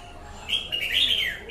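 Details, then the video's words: A wild-caught red-whiskered bulbul delivers a single clear, rolling whistled phrase, high and slightly rising toward its end. "Chào mào bổi lở"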